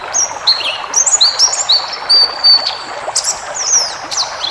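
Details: White-eye song used to train caged birds, wild 'ngalas' style: thin high whistles, some held level and others dropping, between quick sharp chips, over a hissing background.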